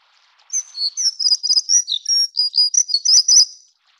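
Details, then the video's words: Plumbeous redstart of the Taiwan endemic subspecies affinis, a bird of mid- and low-elevation streams: a rapid, high, scratchy warble of thin twittering notes and short trills running continuously for about three seconds, with no other sounds. "鉛色水鶇(紅尾水鴝)/Plumbeous Redstart"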